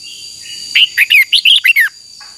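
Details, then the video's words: Red-whiskered bulbul singing to train its voice, a lure song for training birds: a quick burst of about seven bright, warbled notes over one second, each slurring up then down, with a faint steady hiss behind. "Chào mào hót đấu Chào mào luyện giọng hót hay"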